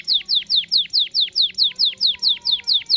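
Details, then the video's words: Canary in lively song, played to coax a young canary into learning: a steady series of sharp downslurred whistled notes, about four per second, evenly spaced throughout. "Kenari Gacor cuit cuit Ngerol Panjang ampuh untuk pancingan kenari Paud belajar Bunyi"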